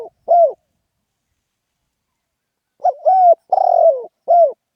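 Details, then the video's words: Lively 'khan yon' cooing of a spotted dove: one closing coo, then after a pause a complete phrase of four throaty notes, the longer middle note buzzing and falling, against a silent background. "เสียงนกเขาใหญ่ เสียงขันโยนเร้าๆ"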